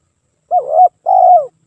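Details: Spotted dove song meant to lure other doves: a soft rolling coo rising at its end, followed after a brief gap by a longer even coo that slides down, in silence.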